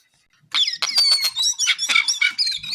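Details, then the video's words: Brown-eared bulbul, called jongkangan coklat, in lively full song: a rapid jumble of high squeaky whistles and chattering notes, continuous after a short silence. "KICAU JONGKANGAN COKLAT GACOR TELER."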